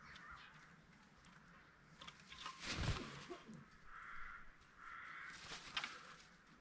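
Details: Spalding emerald peafowl kept on a peacock farm, giving two sustained nasal calls near the end, after a sharp thump and rustling handling noise in the middle.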